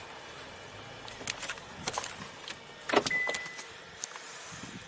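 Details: Car sounds with jangling keys, door and window clunks, and a brief electronic tone over a low background hum.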